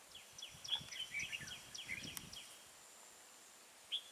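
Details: Fighting song of a red-whiskered bulbul near an old caged decoy during trapping, 12 April 2018: a quick run of bright, slurred whistled notes for about two seconds, a pause, then one more short note, with light rustling.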